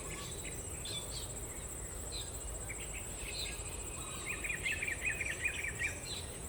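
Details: Blue-throated bee-eater in Sabah gives scattered chirps, then a quick burst of bright, rolling chirps near the end, over a steady high insect drone.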